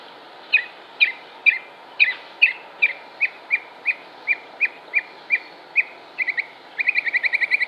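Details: Northern Mockingbird singing in Concord, North Carolina, United States, on 6 July 2016: a long series of sharp, evenly spaced chip notes about twice per second, ending in a fast buzzy rattle of repeated notes, over steady background hum.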